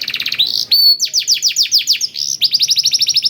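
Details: Blackthroat-tutored canary singing to stimulate other canaries: a rapid trill, a long level whistle, then evenly repeated downward-sweeping notes in quick succession, with faint low background hum.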